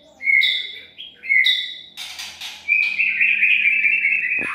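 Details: A white-rumped shama song used for bird trapping gives two rich, whistled phrases, a brief harsh burst, then a long, bright run of rapid warbled notes.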